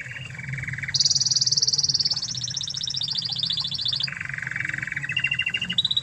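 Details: Master song of an original Spanish Timbrado canary, meant for teaching other canaries: long unbroken rattling trills, first low, then high and slowly falling, then low again, ending on a short higher roll.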